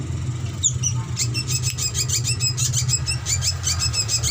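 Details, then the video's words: Drongo song as a training master: after an opening upswept whistle, a fast steady stream of high clipped chattering notes, several per second, over continuous low droning hum. "Masteran Paud Srigunting Ampuh Buat Pancingan Dan Dijamin Cepat Bunyi"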